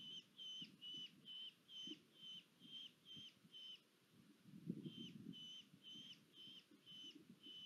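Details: Red-footed falcon at a nest in Polgár, Hungary, on 1 August 2022, female bringing food deliveries; thin high clipped notes repeated about twice a second in two runs with a short gap, over steady low rumbling background noise.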